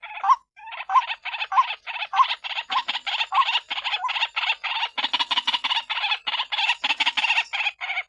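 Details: Calls of the white-breasted waterhen, played as a lure for other waterhens. Rough, rasping notes come in a fast, uneven string. Several voices seem to overlap into a noisy chorus, with faint low grunts underneath.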